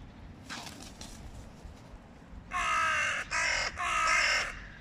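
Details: Hooded crows as two males from rival neighbouring clans fight over meat while young crows eat; faint calls first, then three loud harsh caws close together.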